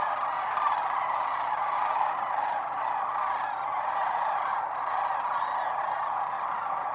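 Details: Huge wintering flock of sandhill cranes, more than 20,000 birds, at Whitewater Draw Wildlife Area in southern Arizona. A continuous, dense wall of overlapping rolling calls, with no single bird standing out.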